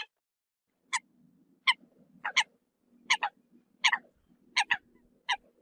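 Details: Eurasian coot calling the flock with crisp, explosive single and double notes spaced under a second apart, separated by quiet gaps with a faint low hum.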